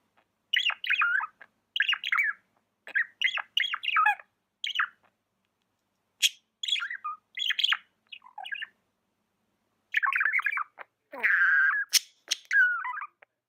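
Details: Tame budgie chattering in repeated groups of quick, scratchy chirps, then a harsher buzzy squawk and a falling warble toward the end.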